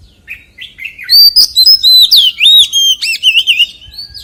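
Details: Oriental magpie-robin song in the forest-voice style, building from soft short notes to loud, rapid, looping whistles and buzzy trills, each note sliding in pitch.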